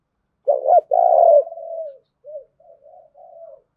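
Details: Spotted dove kept as a decoy to urge fighting gives one low coo phrase, a quick double note and a long rolling coo, then trails off in several soft short murmurs.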